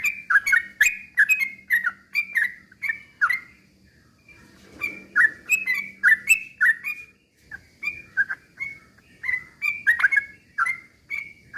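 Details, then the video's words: Sooty-headed bulbul in rapid song, played as a lure so others answer: bursts of quick bubbly whistled notes with crisp clicks, two brief pauses, and a faint low hum in the background. "trucukan gacor ROPEL PELAN BUAT pancingan trucukan agar bunyi"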